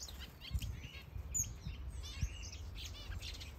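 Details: Various breeding birds in a large planted aviary in Denmark give short bright chirps and buzzy twitters, repeated irregularly about once a second, over a low rumble.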